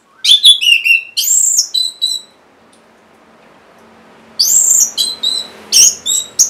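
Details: Orange-headed thrush in captivity, song used to get reluctant songbirds singing: two bursts of varied, high whistles and chattering slurs, separated by about two seconds of quiet.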